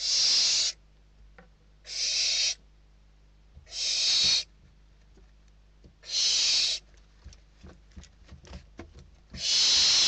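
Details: Nestling barn owls in Spain struggle over a delivered bird, the eldest chick prevailing; five loud, breathy screeching hisses spaced roughly two seconds apart, with small clicks and rustles between them.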